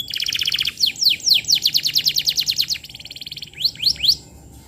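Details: Lure song of a vigorous canary for teaching young birds: a dry high trill, then a run of quick downward-swept whistles, another trill, and three final sweeping notes.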